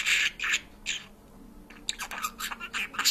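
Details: Parrot that talks and sings in Georgian, opening with three harsh squawk-like syllables, a pause, then quick chattering speech sounds.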